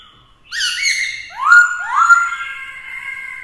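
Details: Black-throated laughingthrush male in provocative fighting song, spurred on by a female: several loud whistled notes, each swooping upward and then held steady, following one another in a rich, many-voiced phrase.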